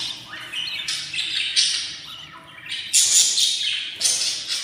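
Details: Budgerigar chicks in a new nest, day 14, make strident, noisy, hissing rasps in long swelling bursts, broken by brief pauses and a sharp loud onset.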